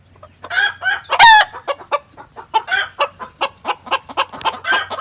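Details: Hens cackle excitedly after a white hen lays her egg in the coop and calls out. Loud harsh clucks come three or four times a second, with a high squawk rising above; guineafowl are also audible in the background.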